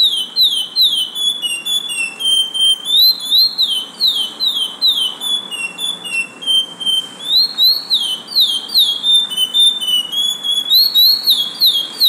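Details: Curió, the lesser seed finch, in an arejador, delivering a long continuous song of bright whistled notes that slide downward in quick succession, several per second, with short gaps between phrases and no other clear sounds.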